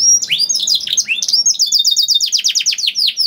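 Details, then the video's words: Canary in loud song to draw other canaries into singing: mixed chirps and whistles leading into a fast, even trill of down-slurred high notes. "PANCINGAN KENARI GACOR DOR NGEREK PANJANG INI AMPUH BIKIN KENARI LAIN BUNYI"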